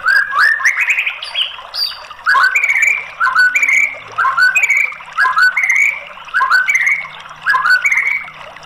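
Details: White-rumped shama singing, used as a lure to prompt a silent bird to sing: loud whistled phrases of rising, slurred notes, repeated about once a second in short bursts with brief pauses, over a quiet background.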